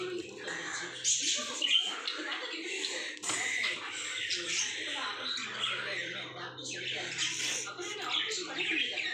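A budgerigar chatters nonstop in a high, scratchy warble of mimicked talk mixed with squawks.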